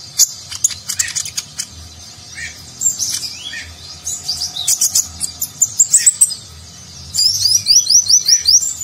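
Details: Van Hasselt's sunbird, locally called konin, singing a rich nagen-style song used to train contest birds; busy, very high twittering with clicks and short slurs, ending in a rapid string of sharp repeated chirps.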